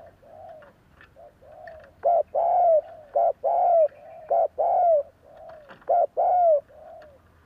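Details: A spotted dove's soft, low cooing, with loud clipped coos in repeated phrases over quieter background coos, used to stimulate other doves to coo back.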